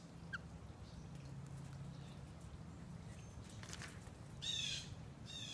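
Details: A male Senegal parrot protecting his nuts gives one short, harsh, grating squawk near the end, with a faint chirp earlier, over a steady low indoor hum.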